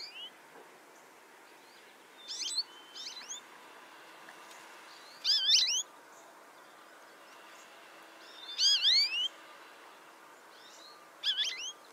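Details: American goldfinch at a bird feeder on a farm in Indiana giving sweet, high, twisting whistled calls in short bursts of two or three notes every few seconds, over a faint outdoor hiss.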